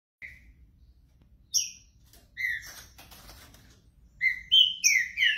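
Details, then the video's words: Green-winged saltator warming up its song: a few loud, clear whistled notes separated by pauses, with a brief burst of rustling noise in the middle. "Trinca ferro"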